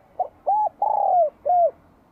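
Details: Energetic spring 2023 song of a bell-toned spotted dove from Vietnam: a brief opening coo, an arched mellow note, a long gently falling ringing coo and one last downcurved coo.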